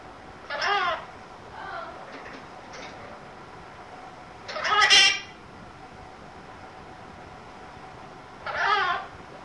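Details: A pet conure ranting indoors: scattered harsh squawks, a louder grating screech near the middle and another toward the end, separated by gaps of several seconds, with steady room hiss underneath.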